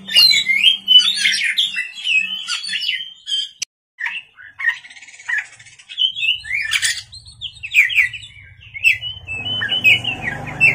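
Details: White-rumped shama singing at night, busy chattering and whistled phrases with a brief silence partway, ending as a low rumbling noise comes in.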